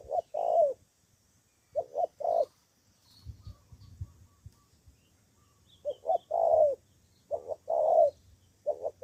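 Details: Spotted dove decoy bird from Cà Mau, Vietnam, calling in a decoy fight with wild rivals: two groups of low, husky coo phrases, short paired notes then a longer rolling coo, separated by a quiet pause with faint low rumble.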